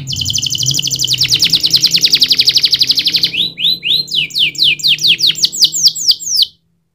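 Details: Caged-style canary song opening with a long rapid buzzy trill for three seconds, then switching to crisp upswept whistled notes repeated about four per second, with a faint low hum underneath.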